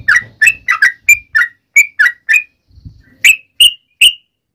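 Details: Sooty-headed bulbul calling its companions with short bubbly whistled notes, uneven in spacing, then a gap and three higher, clearer whistles; soft low knocking between notes.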